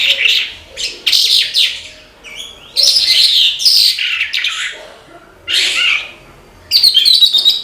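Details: Lively singing from a Horsfield's bush lark: short bursts of sharp, high twittering and buzzy notes, with longer pauses between the phrases and nothing else audible.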